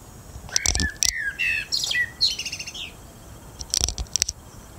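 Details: Common blackbird singing its evening song: mellow, fluty warbled phrases slide and dip, then break into a thin, high twittering flourish. Sharp broadband clicks or knocks punctuate the start and the final second.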